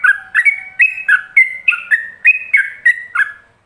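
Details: Yellow-vented bulbul pouring out ropelan song for other bulbuls to learn: a brisk, unbroken series of loud warbled whistles alternating high and low, around three each second, then fading out.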